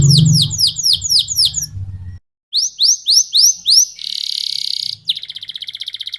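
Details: A domestic canary sings in the ngerol style: a run of bright, down-slurred whistles, a short pause, more slurred whistles, then a fast buzzy trill and a softer pulsing roll.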